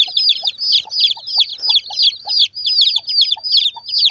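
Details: Chick calls used as a lure for hunting civets: loud, high, downslurred peeps repeated rapidly, roughly three per second, in a steady insistent stream.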